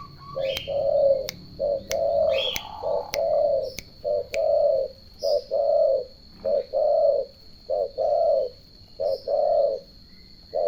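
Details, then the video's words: Turtle doves cooing steadily: mellow low notes grouped in short-long pairs, roughly one pair per second over ten seconds, with sharp clicking taps scattered through the first half. "The melodious sound of turtle doves"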